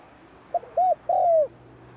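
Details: Spotted dove calling at the start of the cold season, practising its voice: a short low hooting phrase of three mellow coos, the last one longest and gently falling, over a quiet rural background.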